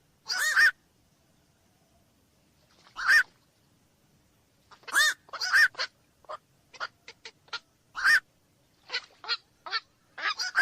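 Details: Black-crowned night heron giving loud, harsh, croaking squawks, first well spaced and then in a quickening run of short clipped calls interspersed with louder hoarse ones.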